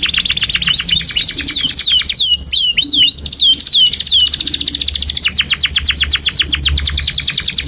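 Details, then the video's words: Canary in long, lively gacor song used to tutor young canaries: fast rising-falling sweeps for about four seconds, then a long run of rapid, evenly spaced high chips, with a low hum beneath. "Kenari GACOR PANJANG INI Cocok untuk Masteran KENARI PAUD dan Kenari Macet"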